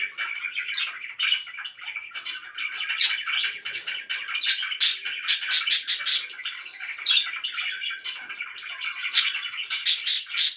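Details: Pet budgies keep up a long, dense warbling chatter, broken by clusters of sharp, high, clicking chirps.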